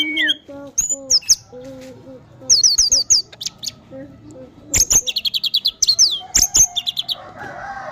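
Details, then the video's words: Orange-headed thrush in full, varied song: descending whistles, fast series of bright high chirps, quick repeated notes and rich warbled phrases alternating with brief pauses, over a faint low hum. "ANIS MERAH TELER PULEN"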